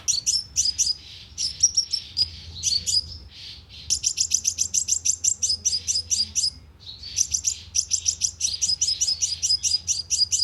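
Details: Sunbird call used as a loudspeaker lure: long, dense runs of very high, quick ticking chips, some trains accelerating into near-continuous rattles, with brief breaks between runs.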